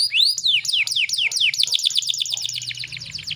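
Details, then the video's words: Canary lure to make males sing quickly: loud descending slurred whistles repeated about four per second, speeding into a rapid high trill, with a low hum beneath. "PANCINGAN KENARI BAHAN AGAR CEPAT BUNYI"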